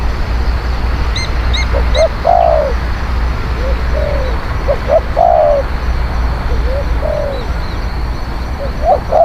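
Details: Spotted dove song played as a lure: soft clipped notes and longer falling coos spread through the recording, with a few faint higher chirps early on and constant low rumbling noise.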